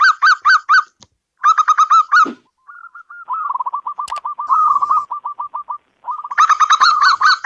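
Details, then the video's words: Zebra dove, a local perkutut, gives bursts of rich, rapidly repeated rolling coos broken by pauses, with a stretch of quieter, flatter staccato notes in the middle before the loud rolling phrase returns. "Suara burung perkutut lokal"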